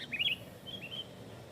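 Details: Sooty-headed bulbul singing its dense provoking lure song: a brief bright whistled phrase of two rising slurred notes, then a softer level whistle and rising note, over faint low hum.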